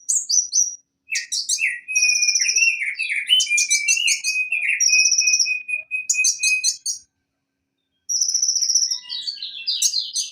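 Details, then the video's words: Konin, or Van Hasselt's sunbird, played as tutor song to coax a silent bird back into voice: a lower wavering warbled line runs under sharp high clicks and bursts of trills, then a pause and more high rattling notes. "Masteran Konin Macet agar Cepat bunyi Kembali"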